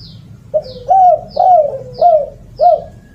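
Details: Spotted dove calling as a lure, giving five loud arched coos, each swelling and dropping away, spaced a little over half a second apart, accompanied by thin high descending chirps between them.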